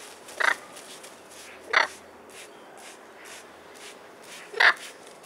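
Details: Pair of blue-and-gold macaws, both 21 years old, being misted with a spray bottle outside on a sunny London spring day, April 2021; three brief raspy squawks spaced over a few seconds, with repeated spritzing hisses between.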